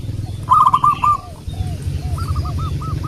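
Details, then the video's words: Zebra dove, local and wild, heard as a lure. A brief loud rolling coo phrase, then a softer, more distant series of spaced arched notes over a steady low rumble. "Burung Perkutut Lokal | pancingan burung perkutut Lokal alam"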